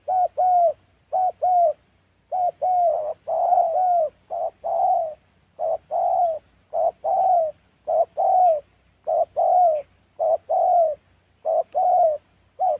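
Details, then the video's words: Long run of spotted dove calling recorded while trapping in the wild Central Highlands forests of Gia Lai, Vietnam: a dozen or so loud, mellow doublets, short note then longer falling coo, at slightly uneven intervals, faint low hum underneath. "Bẩy Cu Gáy"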